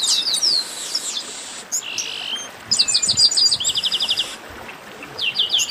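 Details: A 'baderna' of chestnut-capped blackbirds. Many birds give high, bright chirps and buzzy notes. They come in dense rapid runs, with a long steady buzz near the middle and a fast stuttering series after it.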